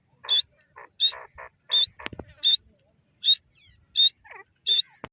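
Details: Female grey francolin (dakhni teetar) giving loud, sharp, high calls about every 0.7 seconds, alternating with softer lower clucks; a brief knock or thud midway.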